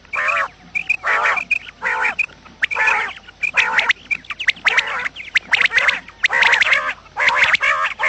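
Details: Morning quail calls used as a lure for trapping quails: a steady run of rasping, nasal squawks, each under a second, coming about once a second, mixed with short high chirps and clicks.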